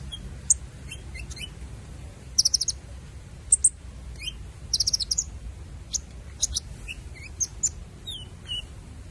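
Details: Purple-throated sunbird giving loud chirps: very high, thin, sharp notes in short rapid clusters and single ticks, scattered irregularly against a low constant background hum.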